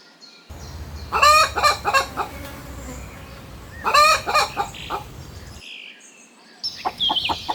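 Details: Rooster crowing amid chickens and rabbits foraging in grass: two full, hoarse crows about three seconds apart, each a chain of rough syllables ending in a drawn-out note, then brief clucking and a faint high chirp.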